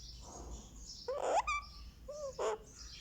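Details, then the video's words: Indian ringneck parakeet chick aged one month, massaged on the head, giving two harsh rasping squawks separated by a clear whistled note, with faint rustling behind. "Rex the Ringneck baby gets a Head Massage | Candy makes sweet sounds"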